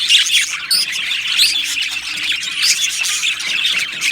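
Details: Australian budgerigars in an aviary colony singing and chirping: dense, continuous high warbling chatter with overlapping squawks and short chirps from many birds, no pauses.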